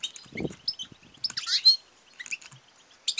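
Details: Female European goldfinch calling to stimulate males to sing and mate: quick high twittering chirps and short buzzy notes in scattered bursts, with a brief low thump near the start.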